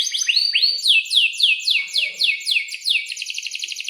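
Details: Atlantic canary in breeding condition, kept as a songbird and singing steadily with long rolls: rapid downslurred whistled notes repeated about four per second, shifting into a faster buzzy trill near the end. No other sounds.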